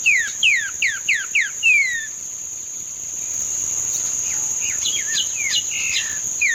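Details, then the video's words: Green-winged saltator singing the treme terra style, 31 May 2025: five sharp falling whistles about a third of a second apart and a drawn-out final slur, later softer chirps under a continuous high insect hum. "trinca ferro TREME TERRA"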